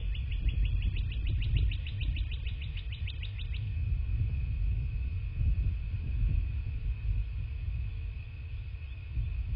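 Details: From a nest camera on a southwest Florida bald eagle nest, 27 February 2024, morning. A dense, fast burst of about twenty high, thin rising notes runs for three seconds, then only low rumble and a steady tone remain.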